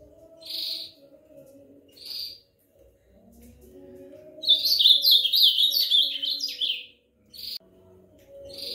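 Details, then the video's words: Ultramarine grosbeak song: two short spaced high notes, then a rich warbled phrase lasting over two seconds, a tumbling series of slurred whistled notes, followed by a brief note; a steady low hum runs beneath. "Belo Azulão Cantando Muito"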